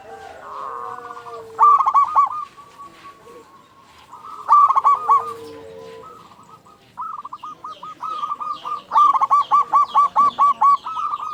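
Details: Song of a local zebra dove played as a lure to stir other zebra doves into singing. Short staccato coo bursts come twice, then a long run of quick, evenly beaten notes, over a background of softer doves.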